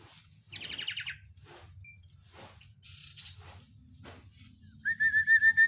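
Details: Sirtu, the Oriental white-eye, with a song described as rich in fill phrases (isian): a short fast trill, scattered high chirps, then a run of about six clear whistled notes repeated quickly at one pitch, over a low hum.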